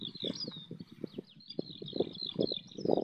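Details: Eurasian skylark song in flight above a wheat field near Bath, England, captured on an iPhone. Rapid high twittering phrases continue above heavy, choppy low-pitched wind and handling noise.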